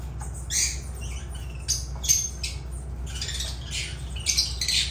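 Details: Lovebirds of the genus Agapornis make short, rasping, high-pitched squeaks and squawks in irregular clusters, with a faint steady hum beneath.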